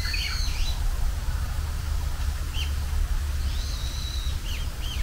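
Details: A Japanese bush warbler sings in spring, the season's first heard: thin, high whistled phrases of sweeping notes, a long level whistle, then quick down-slurred flicks, over a steady low wind-like rumble.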